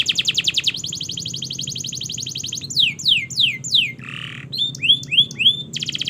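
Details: Canary training song: a fast rattling trill, a series of descending slurs, a buzzy burst, upswept notes, then the rapid trill again.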